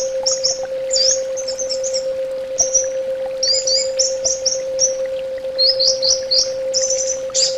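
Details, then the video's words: Orange-headed thrush giving a string of short, very high twittering phrases. Clusters of sharp slurred notes are broken by brief pauses, over a constant low hum. "SUARA TERAPI BURUNG ANIS BATA"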